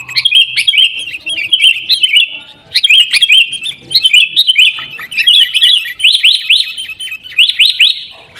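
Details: Repeated bursts of fast, high chirping from sooty-headed bulbul, played to make caged bulbuls sing. Short phrases recur about once a second, with the rising notes climbing toward the end.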